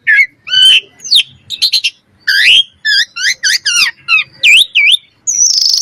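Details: Common myna calling with a mix of gurgles, harsh squawks, repeated looping whistled notes and a closing high rasping buzz.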